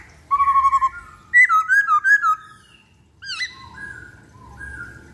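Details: Varied Black-throated laughingthrush song as a lure: a flat whistle, a rapid series of short notes, loud rolling slurred whistles, then a rising sweep and soft level whistles.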